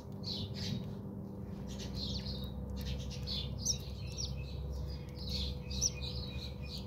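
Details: Several house sparrows chirp while bathing at a home in South Africa: dense, choppy cheeps tumbling over one another with a constant low background drone.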